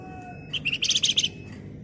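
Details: A Flamboyan bird singing busily, in rapid, dense ngebren style: short whistled notes lead into a fast series of bright, buzzy, stuttering pulses that fade after about a second.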